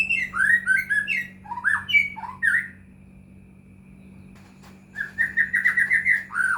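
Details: Caged white-rumped shama song used as a lure to make other shamas sing: bursts of rich whistled, slurred phrases around mid pitch, a quiet gap, then a rapid run of repeated upslurred notes; a steady low hum underneath.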